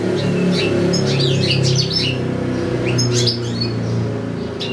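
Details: European goldfinch, kept with another goldfinch and two young goldfinch-canary hybrids (one bird in a breeding cage), singing a long recital: quick, tinkling twitters and chirps, several notes a second, over a steady low rumble.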